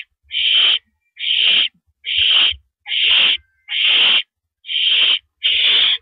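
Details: An owl on a porch perch at 8:17 PM, April 9, 2012, seen on a live camera, rasps out seven loud hissing screeches, each about half a second, evenly spaced roughly every 0.8 seconds, with light knocking sounds.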